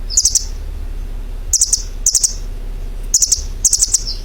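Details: High, thin chirping from a bird: clusters of three or four rapid clicky notes separated by short pauses, with a faint low rumble underneath.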